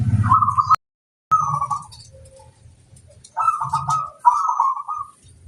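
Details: Zebra dove lure recording intended to call in wild birds: drawn-out rolling coos in three phrases, separated by a sharp break, over deep background cooing and faint high chirps.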